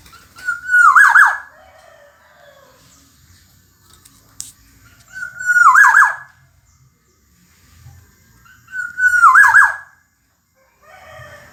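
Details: Kepodang emas, the black-naped oriole, singing repeatedly in a tutoring recording: three matching phrases roughly four seconds apart, each a mellow whistle sliding into a quick, rolling, downward-curling warble, with faint low background noise.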